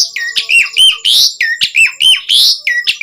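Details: Asian pied starling singing vigorously as a lure for captive starlings: continuous loud harsh croaking notes alternating with falling whistled slurs, roughly one phrase per second, dense and grating throughout.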